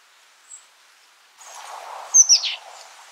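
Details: Oak titmouse: one faint high chip, then a sharp high note and a short series of grating, downward-slurred notes, with broad low rushing noise behind.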